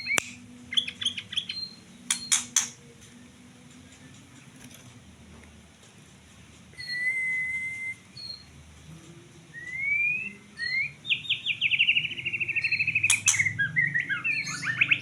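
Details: White-rumped shama with sparse clicks and chips at first, then long clear whistles, rising slurs and a fast rattling trill near the end, over a quiet low rumble.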